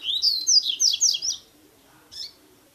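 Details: Double-collared seedeater giving tui tui style song, intended to stimulate a caged bird for the season: a rapid rising series of slurred swept notes, followed after a pause by one short note.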